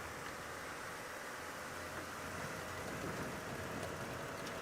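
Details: Steady engine rumble and broad hiss, like a vehicle driving at sunset, with no animal sound.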